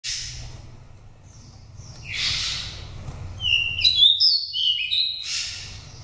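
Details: Oriental magpie-robin (Copsychus saularis) from a Daklak nest, five seasons old, sings wild-style clear, varied high whistles and slurred notes between rough buzzy phrases over a faint hum; lure song for provoking captive birds or trapping wild ones.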